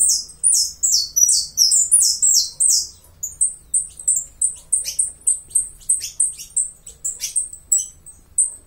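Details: Uruguayan saffron finch song: a rapid run of high, down-slurred notes, then sharp metallic chips repeated about twice a second. Only a faint low hum behind it.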